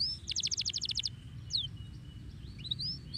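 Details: Canary giving a short, rapid trill of about ten evenly spaced high notes, then a single swept whistle and a few faint scattered chirps over low background noise.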